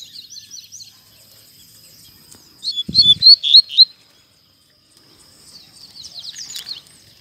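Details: Double-collared seedeater singing strongly in a town square. Soft high twitters lead into a loud one-second burst of sharp, descending notes, then quieter scratchy chatter. A brief low thump occurs mid-phrase.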